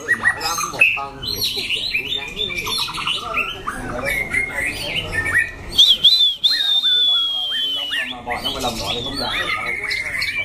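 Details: [[['Caged white-rumped shama, a competition bird with a loud, harsh voice that switches phrases, singing a varied run of bright whistles, quick chirps and trills, with a long clear high whistle near the middle and more chattering notes after.']]]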